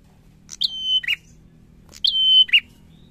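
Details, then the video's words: Two quick phrases of bar-winged prinia song: a bright opening note, a sustained flat whistle, then a lower clipped ending note, repeated after about a second and a half. "PRENJAK GACOR SORRR"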